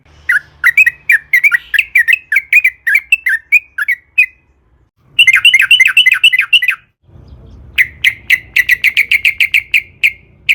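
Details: Sooty-headed bulbul song used to lure and stimulate other bulbuls: rolling repeated notes, a fast chattering burst, then a steady series of sharp clear notes over low hum.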